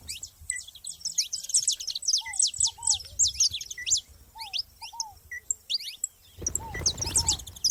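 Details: Several saffron finches in nature chatter in overlapping high, downslurred chirps and twitters. Lower paired arched whistles from another bird repeat throughout, and a burst of rustling noise comes near the end.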